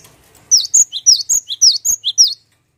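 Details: About ten sharp, high chirps from a cinereous tit in a fast even run lasting under two seconds, a lure sound meant to make other birds sing.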